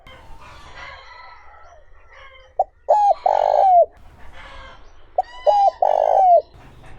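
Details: Spotted dove in smooth 'giọng trơn ròng' voice, used to stir wild-caught doves: two mellow phrases, each a short note, a doubled note and a sustained coo falling at the end, over steady chirping of other birds.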